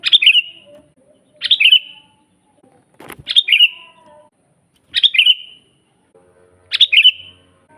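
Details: Sooty-headed bulbul song meant as a master for training birds: five brief bubbly whistled phrases, each a sharp attack falling into a short trill, spaced about every one and a half seconds, one click-like tap in between.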